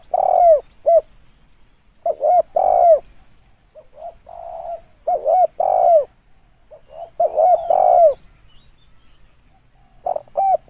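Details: Repeated coo phrases of a spotted dove, a recording used as a lure. Each phrase has paired short coos and a long, slightly descending coo. The phrases come in irregular bursts with quiet gaps.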